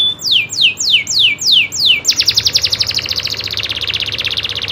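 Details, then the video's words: Local canary rolling its song, loper style: five strong downward-sliding whistles, then an abrupt switch into a fast, sustained rolling trill of tightly packed notes that runs to the end. "kenari loper suara asli nembak ngerolll"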